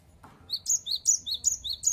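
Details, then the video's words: Cinereous tit singing actively, a series of about six bright, high whistled two-note 'wu-cit' phrases repeated roughly every 0.4 seconds, preceded by a brief soft knock; quiet background. "Gelatik Batu Gacor Wucit Wucit Suara"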